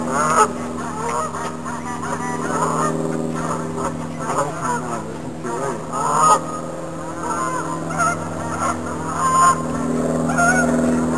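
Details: Canada goose (Branta canadensis) landing, giving nasal, repeated honks over a steady low rumble of traffic or engine noise.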